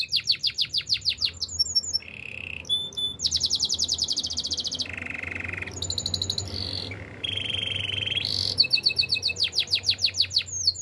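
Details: Training song from a canary: alternating tours of fast staccato trills, low buzzy rolls and high ringing rattles, each held one to two seconds before switching.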